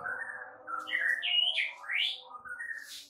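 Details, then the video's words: White-rumped shama training song meant to set off a reply from other shamas: a slurred run of rising and falling whistles, a fast upward sweep and a high burst at the end, with slight room echo. "AUTO RESPON MURAI BATU ANDA DENGAR MASTERAN MURAI BATU SATU INI"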